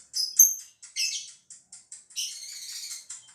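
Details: Lovebird from Gresik, East Java, kept for song contests: irregular high squeaky chirps and short twittering bursts, varying in loudness, with brief pauses between them.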